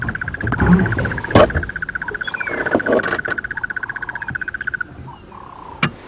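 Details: On a morning safari drive at Djuma Game Reserve on 16 September 2015, a crested barbet gives a long, even, rapid trill lasting about five seconds, over a low vehicle rumble, a few clicks and brief speech.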